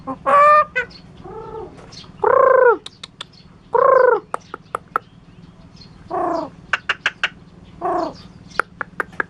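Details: Curup starling copying chicken, cat and spoken words; several short, rich, nasal calls separated by sharp clicking ticks and faint chirps.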